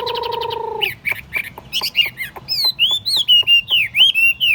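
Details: Chinese hwamei in a portable cage on a table sings. It opens with a low harmonic buzzing note, then gives quick chips and a run of bright up-and-down whistled notes repeated at a lively pace.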